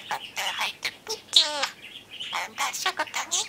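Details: Pet budgerigar that gets excited by the camera and preens around the lens, singing its own song: a chattery warble of short buzzy and whistled notes with rapid pitch sweeps and brief pauses.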